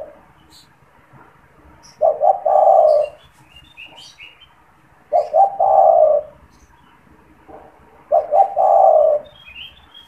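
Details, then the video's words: Caged spotted dove that coos often, its call used as a lure and to stimulate other doves: three loud low coo phrases about every three seconds, each a stuttered double note running into a long hum, with faint high chirps of small birds. "SUARA PANGGILAN DAN PANCINGAN TEKUKUR TERBARU | TEKUKUR GACOR BAGUS BUAT PIKAT"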